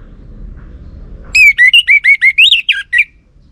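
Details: Orange-headed thrush song used as a lure (pancingan) for kept birds, meant to make a male answer: after a quiet start, a rapid run of about eight loud, clear whistled notes with slurred, wavering pitch, lasting under two seconds.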